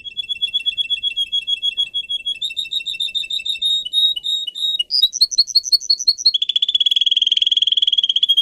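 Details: Pet singer canary song for singing training. A continuous chain of rapid trilled tours: a steady mid-pitched rattle, a slightly higher bubbling section, a quick rising-and-falling phrase, then a fast, dense buzzing roll to the end.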